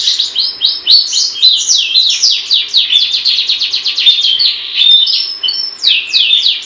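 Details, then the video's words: Long-tailed shrike giving sustained gacor song: a dense, energetic series of quick descending notes, steady for the whole stretch, with occasional short pure whistles woven in. "Burung pentet gacor"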